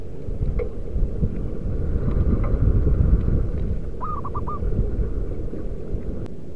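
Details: Wild local zebra dove, a lure call for other doves: a single brief coo, a held note then three quick stuttered notes, rising out of heavy low rumbling noise, with faint ticks around it.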